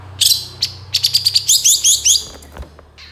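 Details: Long-tailed shrike song serving as a lure to prompt other shrikes to sing: a few scratchy notes, then a rapid run of about ten short, sharp chips, ending with a faint high note over a low hum.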